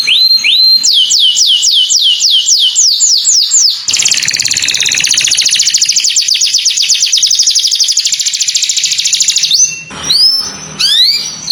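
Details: Morning canary song opening with about ten repeated rising-falling whistles, then a long rapid buzzing roll lasting several seconds, closing with a few upslurred notes.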